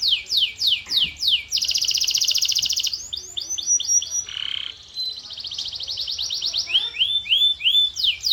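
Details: Canary song in full flow: rapid descending chirp series, a dense buzzy high trill lasting over a second, a lower rolling warble, then bright repeated sweeping notes that quicken toward the end.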